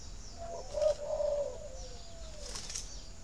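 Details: Spotted dove cooing to prompt breeding: a two-part low hollow coo, the second part drawn out and slightly falling, followed by rustling, wing-flap-like noise and faint high chirps.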